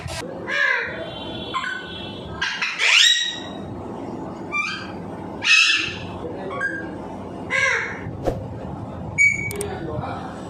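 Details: Pet talking parrot mimicking speech such as "give me kiss": scattered short raspy, squawky utterances and sharp whistled notes, separated by pauses, over a room's low background rumble.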